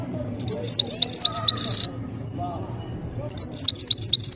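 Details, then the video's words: Goldfinch in full song: a short series of five high chiming notes followed by a rasping buzzy burst, a quiet gap, then the chiming series starts again. "Just crazy gold finch singing"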